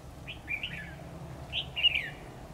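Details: Red-whiskered bulbul used as a decoy, singing in competition during trapping on 10 October 2019; two quick phrases of loud, bright slurred whistles, the second fuller and ending in a falling note.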